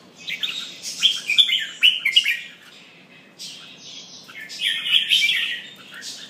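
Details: Red-whiskered bulbul, pumping while it sings, gives a run of quick loud chirpy whistled notes in the first two and a half seconds, a short pause, then another rich burst of warbling near five seconds.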